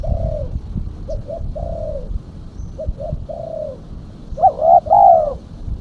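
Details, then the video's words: Female spotted dove lure call with quiet phrases of two short coos and a longer drawn note repeated twice, ending in a louder, fuller pair of coos. "Suara burung tekukur betina /pikat tekukur betina"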